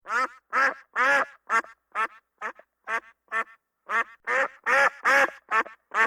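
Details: Farm duck quacking: a steady run of about fourteen loud, harsh, nasal quacks in six seconds, some in quick pairs, with clean silence between calls and no other sounds.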